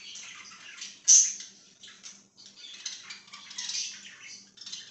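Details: Soft budgie chatter, scratchy and muted, interrupted by one loud shrill squeak just after the first second, then continuing as quieter buzzy warbling.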